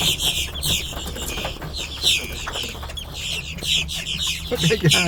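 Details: Large flock of blackbirds feeding in a parking lot in Brunswick, Georgia, on March 3, 2026: a dense, continuous chatter of many overlapping sharp, squeaky high calls, with a steady low engine-like hum underneath.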